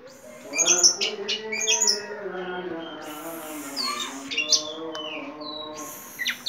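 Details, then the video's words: Ringed orange-headed thrush singing vigorously: high chips and short whistles, then a long, thin, drawn-out whistle and scattered sweeping notes, with a steady low drone underneath. "Anis merah gacor teler"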